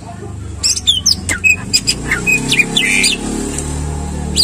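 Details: Greater green leafbird in a cage, its song meant to get other caged birds singing: a string of short, sharp chirps and whistled slides repeated at a quick pace over a constant low background hum.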